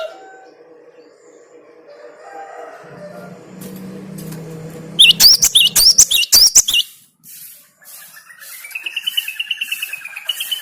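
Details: Low hum and murmur, then a short burst of sharp hooked whistles from a cinereous tit (gelatik batu), followed after a gap by a thinner rising, wavering chatter.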